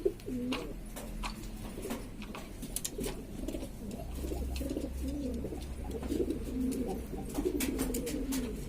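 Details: Lombok domestic pigeons, a mixed-variety hobby flock in East Lombok, Indonesia, cooing noisily: soft overlapping low coos with wavering pitch, plus tapping and a low hum.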